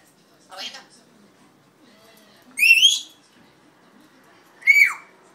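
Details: Red-tailed African grey parrot giving three separate vocalizations: a short raspy harmonic burst, then a loud rising whistle with a buzzy edge, then a sharp whistle sliding steeply downward, with quiet indoor background between calls.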